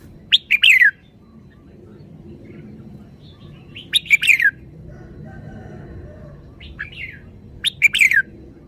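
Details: Red-whiskered bulbul singing; three bright, bubbly phrases of rapid, downward-sliding whistles spaced about four seconds apart over a faint steady background hum.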